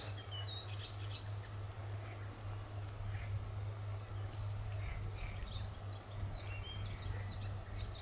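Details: European bee-eaters at a small sand pit in South Bohemia, Czech Republic, on 13 June 2021. They give short, liquid, rolling chirps, scattered at first and then more frequent and overlapping, over a steady low rumble of wind or distant traffic.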